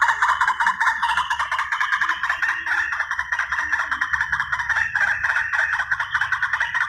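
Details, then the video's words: White-breasted waterhen, recorded as a long lure for hunting: unbroken, raspy, chattering calls forming a thick wall of sound, with faint low murmurs underneath. "Suara pikat ruak ruak"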